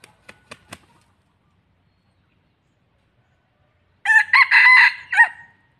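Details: Red junglefowl kept as a decoy bird for trapping gives one loud, harsh, ringing crow lasting about a second and a half, with a brief stutter partway through. A few sharp clicks are heard before it, followed by silence.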